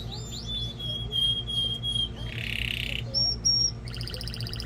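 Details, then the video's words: Singing canary meant to excite a female for breeding and teach young birds: sliding whistles into a long steady tone, a harsh buzzy burst, two short whistles and a rapid high trill. "تغريد طائر كناري جبار يحفز الذكر ويهيج الأنثي لتزاوج قمة الابداع لتسميع الفراخ | canary singing"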